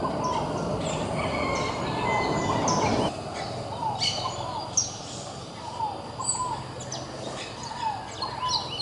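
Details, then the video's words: Scaled doves, a courting pair, give low, rounded, rising-falling coos in repeated pairs after a noisy opening. Thin high chirps and trills from other birds run above throughout. "Casal de ROLINHAS Namorando, FOGO APAGOU"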